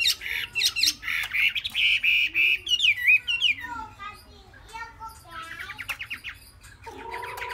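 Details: Chinese hwamei aged three months gives a sustained, level whistle followed by sliding, twisting whistled notes, then quieter chattering phrases and a low, buzzy note near the end.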